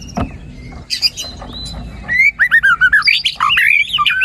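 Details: Singing white-rumped shama meant to stimulate a lazy caged bird to sing: a few scattered chirps, then a rapid series of looping whistled phrases, rising and falling in quick succession.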